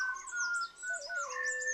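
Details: Malabar whistling thrush in India's Western Ghats, singing early in the morning before sunrise, gives long, clear, humanlike whistles that hold steady and then drop to a lower note, with thin high chirps from other birds.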